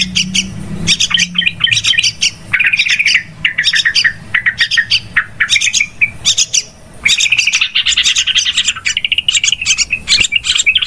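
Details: Yellow-vented bulbul lure sound for trapping, described as extremely noisy: long stretches of harsh, excited chattering and squawky chirps in rapid bursts, with brief pauses between phrases.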